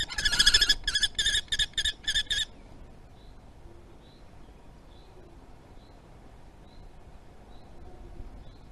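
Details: Common kestrel calling during mating at Théding, France, on 30 April 2020, from a nest webcam: a rapid burst of about seven harsh, buzzy notes over the first two and a half seconds, then steady background hiss with faint distant chirps.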